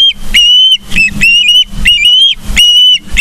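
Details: Ospreys at a nest in Charlo, Montana, on a late-August morning: loud, thin, whistled piping calls, each slightly rising or level and repeated about every half second, over faint low hum and rustling.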